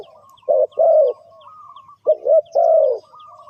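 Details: Spotted dove cooing to draw birds into a trap: two phrases, each a quick coo then a long, slightly falling coo. Light high chirps and a thin whistle sit faintly behind.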